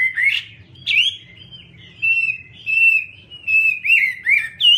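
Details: Chinese hwamei singing clear whistled phrases, some swooping and others held and level, separated by short pauses.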